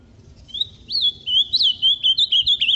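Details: Pareia-style song from a caged azulão, the ultramarine grosbeak, kept alongside its six-month-old offspring: clear whistled notes sliding up and down, ending in a quick series of short looping phrases, against quiet low rumble.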